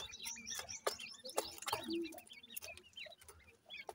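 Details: Busy grey francolin chicks feed with quick, high, slurred chirps overlapping one another, punctuated by sharp clicks and pecking taps.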